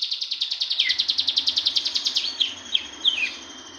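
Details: Young cigun learning to sing ngebren: a rapid, regular trill of high buzzy pulses lasting over two seconds, then several sharp descending chirps.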